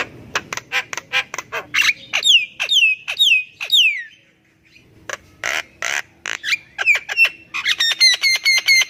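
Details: Lure song of a Javan myna that sings constantly, meant to prompt silent birds: rapid dry clicks, descending whistled slurs, then a quick rising note and a final burst of high, ringing repeated notes.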